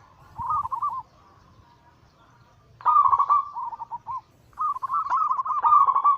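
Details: Zebra dove cooing in the 'anggungan' style, used to trigger singing: a short soft rolling phrase, a long pause, then two longer bubbly coo phrases with a slight rise and fall.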